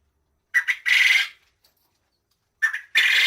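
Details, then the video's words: Quail gives a three-note phrase twice: two short, hoarse notes and then a longer, buzzy, mid-high note, with the phrases about two seconds apart and silence between. "Quail Sound Effects مؤثرات صوتية طائر السمان"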